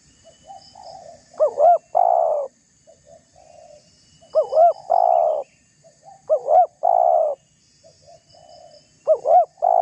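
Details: Spotted dove, a lively caller used as a lure, teasing a rival. Four loud phrases of two quick rising-falling notes plus a long low coo come about every two and a half seconds, with gentler coos in between.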